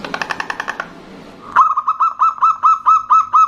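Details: Female zebra dove calling a male, the two answering each other, with a local male in full voice: a rattling run of harsh pulses gives way to steady, evenly spaced whistled notes, each with a slight upward hook.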